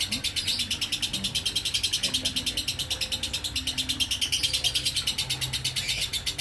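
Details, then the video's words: Lovebird giving the long 'ngekek konslet' trill: harsh, high, fast chattering that pulses about three times each second without pausing, accompanied by a quiet low hum. "Burung lovebird ngekek konslet"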